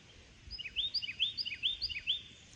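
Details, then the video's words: A Carolina wren in the background gives a loud, rolling series of bright, down-slurred chirps, about four phrases a second, over faint hiss, while someone reads aloud nearby. "what you're hearing in the background or maybe not so background it's a Carolina wren"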